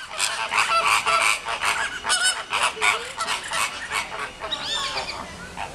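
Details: Flamingos with nestlings at Paris Zoo, Bois de Vincennes, as hungry chicks are fed: a dense, overlapping chorus of nasal, goose-like honks from many birds, rapid and irregular, with brief clearer upward-sweeping notes near the end.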